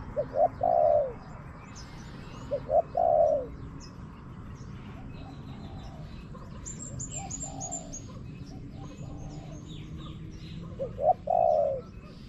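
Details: Wild spotted dove answering a decoy bird among gardens. Cooing phrases about ten seconds apart, each a pair of clipped notes and a longer falling coo. Scattered high twitters and chirps of other birds fill the gaps.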